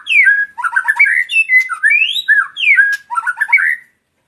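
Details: Male white-rumped shama song with clear slurred whistles rising and falling, mixed with quick stuttering trills, delivered in varied phrases over about four seconds before stopping.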